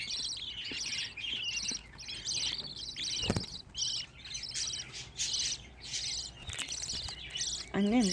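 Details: A group of fifteen young budgerigars chatters constantly in high, rapid twittering chirps, with a brief click midway and a woman's voice speaking softly at the very end.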